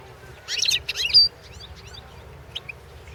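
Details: European goldfinch song recorded at a 2016 world championship goldfinch song competition: a short burst of bright, buzzy twittering notes ending in a clear high whistle, followed by faint scattered chirps over a low background hum.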